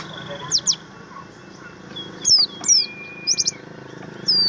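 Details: A Javan grey-throated white-eye, the kept pleci buxtomi, gives a training song of thin, high whistled chirps and quick down-slurred notes in short bursts, over a faint background murmur.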